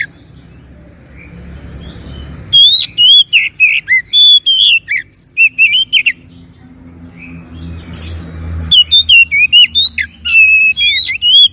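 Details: Lure song of the Oriental magpie-robin (kacer) to provoke singing: after a quiet opening, rapid varied whistles and chattering notes pour out, then a short pause, then another lively burst of slurred whistles.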